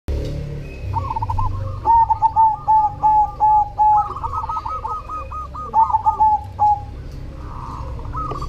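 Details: Zebra dove of the black cemani type singing actively: a rapid run of short, clipped, rolling coos on one mid pitch, several loud phrases of stuttered notes, with fainter cooing from other doves behind and a low background hum.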